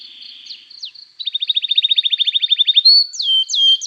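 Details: Emotional 'cuit cuit' canary chirping meant to draw replies from other canaries: faint thin tones at first, then a fast even trill of sharp chirps, followed by bright looping whistled slurs.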